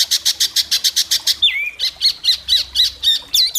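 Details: White-rumped shama performing at an Indonesian singing contest for judges: fast rattling bursts of harsh notes, then sharp falling whistled slurs and looping chirps repeated several times a second.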